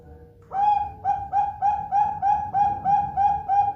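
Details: Zebra dove (perkutut) song used as a lure to get other doves singing, local or Bangkok type. After a faint low tone, about ten mellow cooing notes come in a fast, even run, roughly three per second, in a quiet room.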